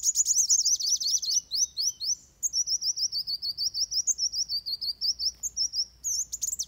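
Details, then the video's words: Van Hasselt's sunbird in fighting song, recorded as training material for birds: a fast buzzy trill of sharp notes opening into long strings of rapid, high wavering twitters. "Suara Kolibri Wulung Tarung Buat Masteran"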